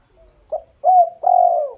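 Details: A bird gives low, soft, hollow cooing notes: a short note followed by two longer, drawn-out, mellow coos.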